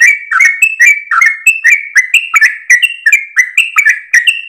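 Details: Sooty-headed bulbul singing at dawn in a long, continuous 'gacor ropel' style while wagging its tail, used for training other birds: bright whistled two-part phrases, a clear high note dropping to a lower slurred one, repeated about twice a second.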